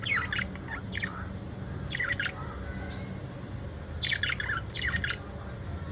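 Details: Pet lovebirds at evening uttering scattered groups of harsh high chirps with quieter gaps between, against a noticeable low background rumble.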